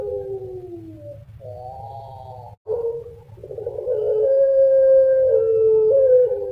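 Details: Pet collared dove, known in Indonesia as puter pelung, singing its signature gurgling coo. Brief wavering notes and a pause come first, then a long level kooook that swells loudly near the end, over a constant low-pitched hum.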